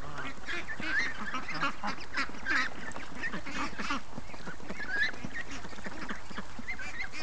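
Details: Morning calls from free-range ducks, 36 days into their raising. A steady mass of quacks is punctuated by thin, rising squeaky notes every second or so.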